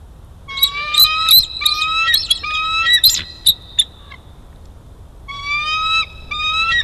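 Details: Juvenile bald eagle stealing lunch, recorded 12-5-22: loud series of high, thin, piping whistled notes with ringing overtones, delivered in quick uneven bursts of chatter, a pause of about a second, then two more short rising runs.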